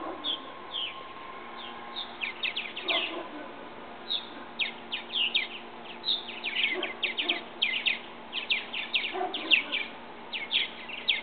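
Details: Purple martins from a backyard bird house, young birds finally old enough to leave the nest and try their wings; dense bursts of sharp, downward-slurred chirps tumble over one another almost continuously, with faint lower calls beneath.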